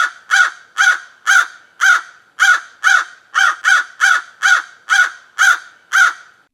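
A crow gives a steady series of harsh, hoarse caws, about two each second, with no other sounds.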